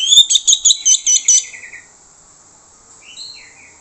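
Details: Orange-headed thrush used as a lure for other birds. A quick run of about seven loud, ringing high notes is followed by silence, then a few soft, falling whistled notes.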